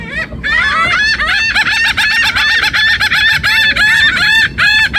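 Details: Several laughing gulls give overlapping nasal, yelping calls like a puppy's whimpers, rising and falling in a busy, nearly nonstop chorus; Laughing Gull.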